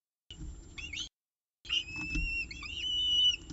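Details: Peregrine falcon at the CSU Orange nest, evening meal, 18 October 2018, 6:51 pm, nest camera: after short gaps, long thin high whines with a level, slightly wavering pitch, plus low rumble.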